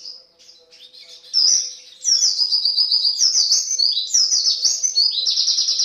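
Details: Javan white-eye singing energetically ('gacor') as a lure ('pancingan') recording: rapid, high-pitched twittering that starts soft and bursts into a loud continuous stream of sweeping chirps and trills, with a faint steady hum below.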